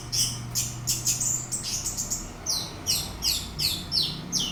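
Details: Orange-headed thrush, a lure recording meant to rouse another bird to sing in the teler style; rapid run of sharp, high, varied notes, some slurred, coming about two or three per second with a faint low hum behind.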